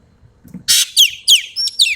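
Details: One rapid phrase of a Sumatran common green magpie's energetic 'tembakan' song: a loud harsh squawk followed by several sharp, descending whistled notes in quick succession.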